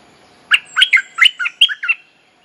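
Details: Bulbul of the type called merbah lekir or nok dok taeng, singing a mating-call lure for young birds to learn: seven fast, bright, warbled whistles in a single tumbling phrase over low steady hum.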